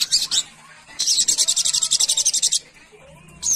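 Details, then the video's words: Brown-throated sunbird, a small brightly coloured nectar-eating songbird found wild in trees, calling to its companions: very high, fast, buzzy trills in dense bursts lasting up to one and a half seconds, with short separate twittering phrases before and after. "Sogon Memanggil Kawan - Sogok Ontong Gacor Ngalas"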